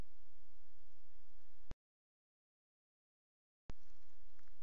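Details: Broad hiss and low hum are cut by two seconds of total silence, then the hiss returns, with no animal calling.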